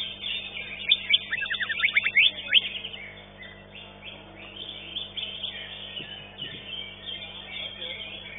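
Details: Green leafbird at a bird-singing contest, where it won fifth place, delivers a fast cluster of slurred whistles and sharp chips in the first seconds before a busy chorus of other caged birds takes over.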